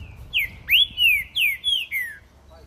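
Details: Caged green-winged saltator singing while its cage is held in the hand outdoors on a street. One clean phrase of five or six rich, whistled notes, each sliding downward, delivered briskly in just over two seconds.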